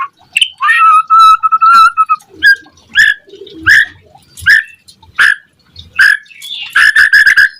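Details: White-rumped shama singing to prompt other shamas to answer: a long steady whistle, then a series of sharp, clipped chattering notes in short bursts, with a low soft coo in the background.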